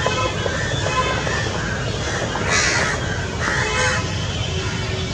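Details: A gathered group of crows, possibly Indian jungle crows, gives harsh, rasping caws in a few short bursts over a steady rumble of traffic-like background noise; 28 November 2021.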